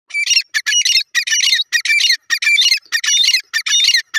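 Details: Grey francolin, locally called teetar, calling in a loud, harsh, high series of squawky notes repeated about every half second, each burst scratchy with a thin whistled streak inside, in a quiet setting.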